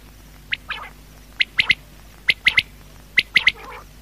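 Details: Quail at night repeating brisk triplets of sharp, bright notes about once a second, with soft rough trailing sounds after some phrases.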